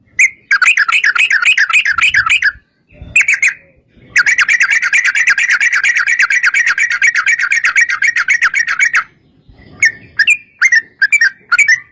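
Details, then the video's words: Long rapid 'ropel panjang' song of a yellow-vented bulbul, played as a lure to get other bulbuls singing: extended runs of fast, rolling, bubbly notes with brief gaps, ending in a few scattered single notes. "trucukan gacor TARUNG ROPEL PANJANG pancingan trucukan agar bunyi jadikan burung trucuk gacor NYAUT"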